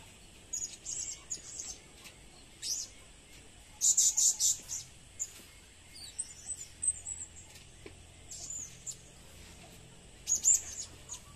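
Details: Blue-crowned hanging parrot calling for use as a lure, giving bursts of shrill, high, piercing chirps in irregular clusters, some loud and rapid, separated by quieter gaps with faint high twitters.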